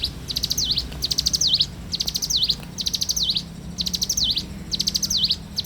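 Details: In the morning a bar-winged prinia sings loudly and steadily: six quick rattling phrases of high ticks, each ending in a V-shaped slurred note, spaced just under a second apart.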